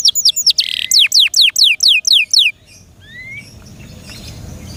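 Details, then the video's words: Canary in care gives eight or so sharp downward-slurred whistles at a steady pace, followed by near silence with one soft rising note. "THE BEST CANARI BIRD"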